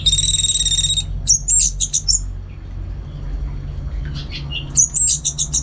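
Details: Caged orange-headed thrush in northern Bali, kept for songbird contests, sings bursts of high, fast, buzzy warbled notes at the start and again near the end, with a quiet gap between and a steady low hum underneath.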